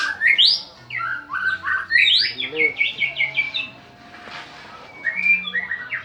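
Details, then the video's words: White-rumped shama, a champion bird, singing to set other birds singing: loud upswept whistles and a quick series of five or six clipped repeated notes, a quieter pause, then softer chattering phrases. "BURUNG MURAI PALING GACOR||PANCINGAN PEMULA.BURUNG JUARA"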